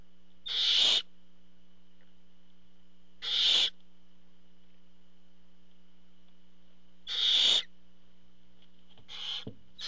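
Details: Barn owl at the nest as the male parent arrives carrying food. Harsh, breathy rasping screeches of about half a second repeat roughly every three seconds, with a steady low hum underneath.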